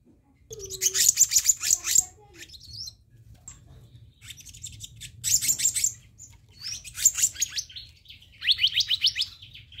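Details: Black-naped monarch lure recording, with bursts of rasping, buzzy chatter repeated four times at intervals of about two seconds, the last burst breaking into quick rising whistled notes.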